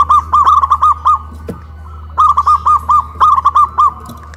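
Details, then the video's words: Local zebra doves in Kuningan, West Java, Indonesia, cooing loudly after being hoisted on a pole; bursts of quick rounded coos near one pitch, about five to seven notes each, with a steady low hum underneath. "PERKUTUT LOKAL SUARA BESAR VS SUARA KRISTAL"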